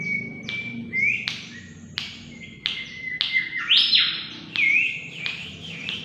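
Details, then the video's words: Mangrove whistler song used as a lure recording, sung energetically: long steady whistled notes broken by sharp upward-sweeping and buzzy phrases, with loud rising-falling flourishes near the end. "pancingan burung kancilan bakau Gacor"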